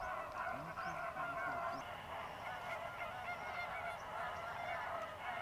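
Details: Greater flamingos, a dry-season migrant flock of thousands fishing in the lagoons of Mannar Island, Sri Lanka: a dense, continuous goose-like chatter of honking calls layered over each other, with steady background noise.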